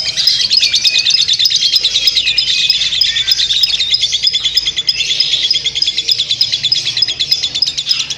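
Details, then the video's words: Unbroken ngekek panjang from a lovebird: dense, high, scratchy chirps delivered around three per second, mixed with squeaky rising whistles across the run. "burung lovebird ngekek panjang"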